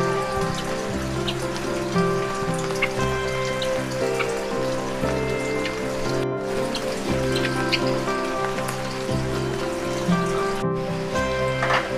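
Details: Steady background music over a patter of rain or dripping water, with no clear animal voice standing out.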